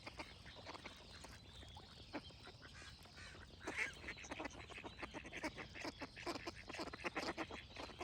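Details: Ducks quacking steadily, with short harsh nasal calls repeated in quick succession and growing denser toward the end, plus a brief louder squawk near the middle over a soft background hiss.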